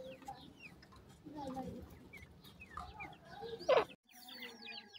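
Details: Grey francolin chicks at play give a steady stream of thin, high peeps that slide downward, overlapping one another, with low murmuring underneath and a sharp loud knock near the end.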